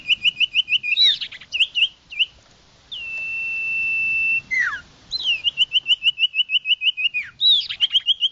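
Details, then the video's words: Common iora lure call for attracting wild birds: quick strings of clear chips, then a long, steady whistle of over a second that drops into a downslur, followed by more rapid chip runs. "Suara pikat burung Sirtu/Cipoh Suara jernih mantap"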